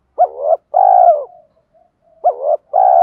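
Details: Decoy spotted dove giving its luring 'gáy gọi - thúc' call to draw in wild doves: two loud, mellow cooing phrases, each a short rising coo followed by a longer, steady coo, with a silent gap between.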